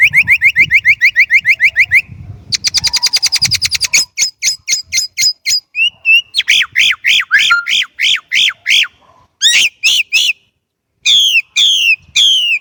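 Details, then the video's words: Chinese blackbird singing a long varied sequence: a fast buzzy trill, a dense high rattle, spaced sharp clicks, then repeated bright arched whistles and downslurred notes in separate bursts, with short silences between. "烏鶇(黑鶇)的叫聲/Sound of Chinese Blackbird"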